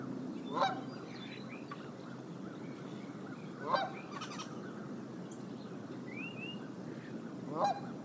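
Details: Bald eagle on its nest at Decorah, filmed by live nest camera on January 30, 2022: three short, piercing chattering calls at irregular intervals, with softer calls from other birds and constant background noise.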